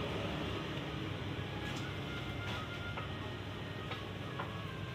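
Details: Steady broadband rumble like traffic or machinery, with a few faint clicks and thin tones, and no animal voice.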